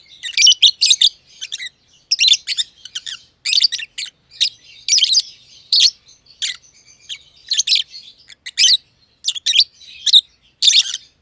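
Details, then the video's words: Green personata and green pied personata lovebirds, close companions in a simple aviary, one under a year old, giving a long run of shrill, buzzy chirps in quick clusters with brief pauses between. "Lovebird Chirping Sounds - Green Personata & Green Pied Personata"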